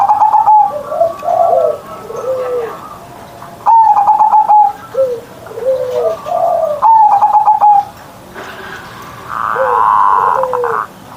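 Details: Morning song of a kept zebra dove in the strong 'ngerot' manggung style, used as a lure to set other perkutut singing: high cooing phrases roughly every three seconds, each followed by lower rounded coos, with room echo.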